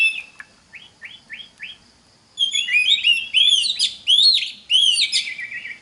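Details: Oriental magpie-robin song for training other magpie-robins: four quick rising whistled notes in a row, a brief silence, then a rush of loud sweeping whistles and sharp chips repeated in rich varied phrases.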